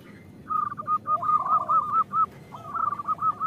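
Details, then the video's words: Female zebra dove of a local strain calling to males, played so lazy males start singing: two phrases of rapid, bubbling repeated coos, with a softer, lower, sliding note beneath the first. "Suara Perkutut Betina Memanggil Jantan"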